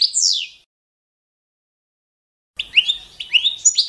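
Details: European goldfinch, Balkan form Carduelis carduelis balcanica, competition standard training song: a single descending slurred note, a pause, then quick twittering chirps and short trills.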